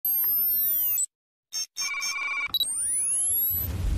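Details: Electronic ringing with sweeping synthetic tones, broken by a brief silence and a few clicks, with no animal voice.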